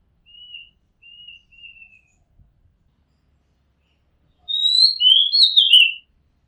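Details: Oriental magpie-robin on a home rooftop: three soft, level whistles, a pause, then a loud burst of rich, rapidly slurred whistles and high squeaky notes lasting about a second and a half.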